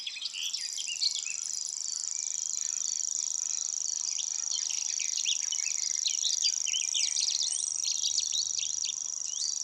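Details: Grasshopper Warbler, a small red-listed migrant of scrub and reedbed, delivering its reeling song: an unbroken, very high, insect-like reel lasting the whole ten seconds, swelling and fading as the bird turns its head, with other birds chirping behind.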